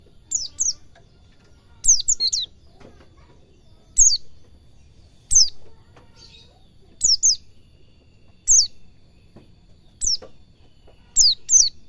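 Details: White-eye singing ngalas cingjuitan, used to train cage birds: a steady series of high, down-slurred whistles, mostly in quick pairs, repeated roughly every one and a half seconds over a quiet background.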